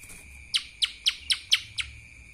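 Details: Lesser green leafbird singing in the kapas tembak style: six sharp, downward-sweeping chirps in quick succession, about four a second, over a steady high-pitched hum.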